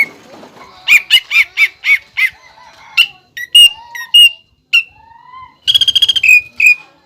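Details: Greater green leafbird song featuring pelatuk bawang (flameback woodpecker) imitation: a quick run of loud whistles, scattered upslurred notes and a low whistle, then a fast mechanical rattle-like trill.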